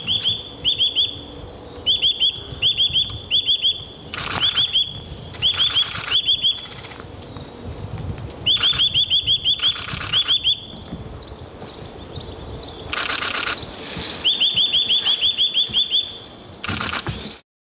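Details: A Eurasian nuthatch (Sitta europaea) at Nikko, Japan, sings fast series of clear, piping whistles, each burst lasting about a second.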